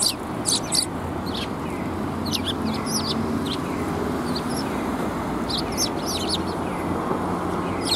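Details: Sparrows flocking to red plum blossoms at a Tenmangu shrine in Japan, 4 March 2021; scattered thin high chirps come in loose clusters, partly masked by a constant broad rumble.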